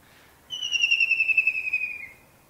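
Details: A kingfisher, perched and singing in early morning in Pakistan, gives one long, thin, high whistle, slightly falling and faintly wavering, lasting about a second and a half, over quiet background.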